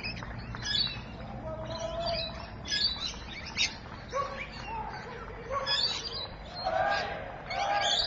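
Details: At Evans Head on 26 May 2012, rainbow lorikeets give a busy mix of shrill squeaks and scratchy chatter notes in irregular bursts, with some mellower whistled tones from other birds among them.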